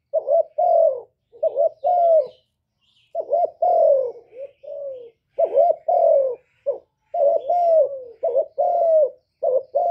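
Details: Cooing of a spotted dove, recorded live to encourage kept doves to sing. Paired short hoots lead into longer sliding coos, repeated in bursts with a brief pause midway. Faint bird twitters are heard behind.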